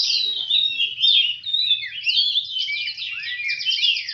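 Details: Oriental magpie-robin singing at a bird contest in Semende Perapau: loud, unbroken, high warbling with slurred whistles, quick trills and downward sweeps, packed tightly together.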